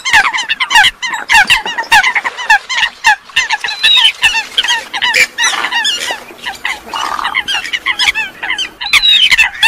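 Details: Eurasian coot calls played as a lure for night net trapping of birds; a dense overlapping chorus of short, nasal honking notes and sharp clicky calls, many birds at once, with barely a pause throughout.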